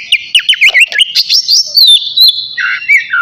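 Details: Navy oriental magpie-robin singing ahead of its bath: a quick burst of chirpy zigzag notes, then drawn-out whistles sliding down, ending in lower warbled phrases.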